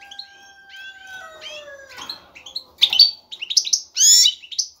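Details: European goldfinch male singing for a female during the breeding urge: a long, steadily falling pure tone sounds beneath chirps, then loud buzzy twittering bursts take over.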